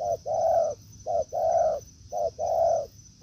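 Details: Forest spotted dove responding to a decoy: three clear coo pairs, each a quick short note leading into a long warm coo, spaced about a second apart over a faint high whine.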